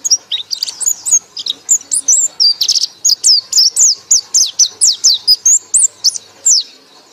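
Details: A white-eye sings the loud ngekek chatter: a long, steady train of bright, high whistled notes, many swooping downward, repeated evenly several times per second without pause.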